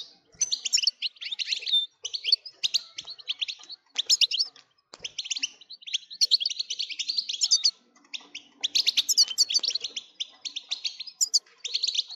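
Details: European goldfinch song meant to excite goldfinches into nonstop singing: rapid bursts of bright twittering, liquid chirps and buzzy trills in phrases of one to two seconds, broken by short pauses, with no other sounds.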